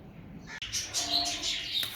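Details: A female cockatiel grieving and angry after losing her two young: after a short pause, bright, scratchy high chirps run together in a continuous chattering burst with a faint steady tone beneath.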